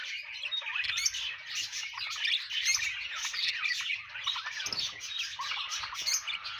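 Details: A group of budgies keeps up busy, overlapping warbling and chirping, mixed with brief harsher squawks and rapid twittering notes throughout.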